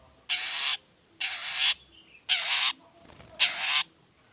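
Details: Shrike lure recording of a long-tailed shrike in 'toet toet' variation: four drawn-out, grating rasps, each about half a second, repeated roughly once a second with a faint thin note between.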